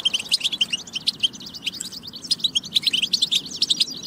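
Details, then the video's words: European goldfinch, batba recording intended to stimulate goldfinches to sing: loud, bright, rapid twitters and short buzzy notes chained together continuously across the whole stretch. "بتبة فتاكة لتحفيز الحسون على التغريد والجهوزية"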